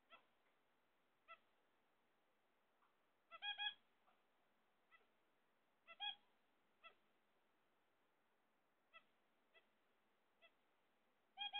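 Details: Zebra finches kept at home while waiting for eggs call repeatedly with short, nasal, toy-trumpet-like beeps, some single, some in quick doubles and triples, spread irregularly throughout.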